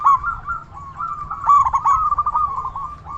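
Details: Zebra dove, local Indonesian bird singing energetically to lure other doves: an unbroken stream of low, wavering, bubbling coos with a sharper stuttered accent near the middle.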